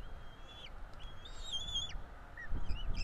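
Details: Bald eagle chicks, two young in a nest in Florida on 5 April 2022, fed by their parents; a few thin whistled notes, level then dropping, sparse and faint over steady low rumbling noise.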